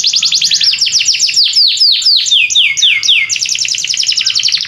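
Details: Continuous Belgian canary song of rapid high trilled notes that slow into a series of descending swept whistles before speeding up again into a fast trill.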